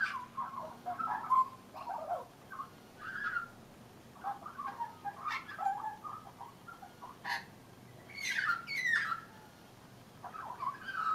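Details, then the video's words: Young Australian magpie with leucism, brown and white, perched on a house railing and singing at lunchtime: quiet warbling, gurgling phrases with scattered sharper notes, broken by short pauses. "Australian brown/white magpie singing"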